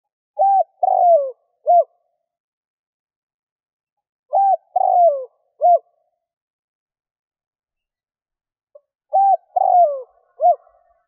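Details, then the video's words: Luring call of a spotted dove for attracting wild doves, three similar cooing phrases roughly every four seconds, each a short coo, a long descending purr and a clipped closing note. "Tiếng chim cu gáy kích bổi"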